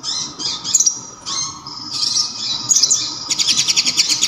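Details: Local olive-backed sunbird, or kolibri ninja, whose loud sharp voice is used to tutor other songbirds, with kapas tembak filler. Thin high squeaky notes and short bursts build to a fast shrill trill over a faint hum.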